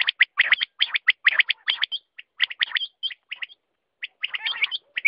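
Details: Quail producing dense runs of sharp high chirps, some hooked, broken by short pauses and a quiet gap before a final busy cluster.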